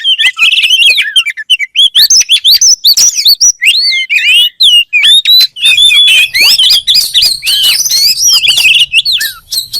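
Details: Oriental magpie-robin (kacer) in sustained song: rapid whistled loops and chips, rising and falling, with a faint low hum beneath the later part.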